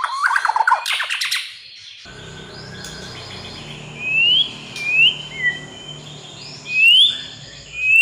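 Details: White-rumped shama training and lure song meant to prompt untrained birds to sing fluently: a burst of rapid harsh, rattling notes, then clear upward-slurred whistles repeated at irregular intervals over a steady hiss of background noise.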